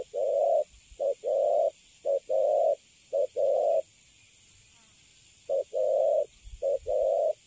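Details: Spotted dove of the Cấn Sấm type, a recently caught bird kept in a cage, cooing. Low, mellow phrases pair a short note with a longer one, repeated about once a second, with a pause midway.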